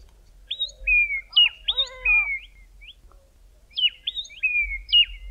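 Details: Two Grey tits singing in the early morning in the southern Karoo in midwinter: clear whistled phrases, a sharp rising note, then a long level whistle, repeated in bursts; lower harmonic calls briefly join midway.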